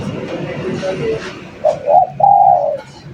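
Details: Energetic spotted dove song for luring: two quick rising coos lead into a sustained, level, throaty coo, then quiet, with soft low background murmur.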